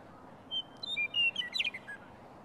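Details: Bird singing in the morning at the Rocky Mountain Arsenal on March 17: a brief sweet phrase of whistled notes stepping between pitches, a fast tumbling trill in the middle, then a final soft note, over low steady background hiss.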